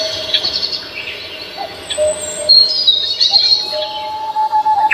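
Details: Birds singing on Namsan Mountain in Seoul: thin high chirps and short whistles scattered over a steady background hiss, with a longer level whistle near the end and a run of quick repeated notes closing.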